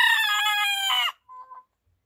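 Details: Cockerel crowing at dawn: the loud harmonic end of a crow dropping away, followed by two quieter short clucking notes.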